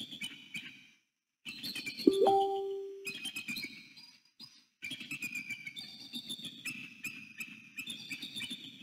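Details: Bald eagle pair at a northeast Florida nest, 6 November 2019, calling as they meet and mate at dawn: continuous high chattering and piping in bursts, briefly cut across by a loud, lower steady tone with a rising whine.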